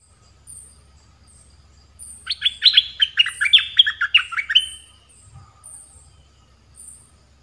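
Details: Caged Red-whiskered bulbul used as a decoy to lure wild birds, singing soon after its moult: a two-second burst of quick, bubbly warbled notes, rising and falling, with thin high whistles repeating faintly in the background.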